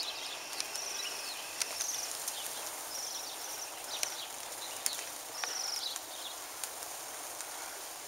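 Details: Bohemian waxwings feeding in a mountain ash on Christmas Day 2010 give faint, very high, thin trilled calls about every second over a steady hiss. Sharp clicks are heard; some birds were hitting the kitchen window.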